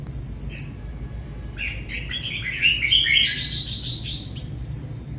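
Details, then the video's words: Mrs. Gould's sunbird gives high, thin twittering notes, quick chips and a brief warbled jumble midway, over a low rumbling background. "Mrs. Gould's Sunbird"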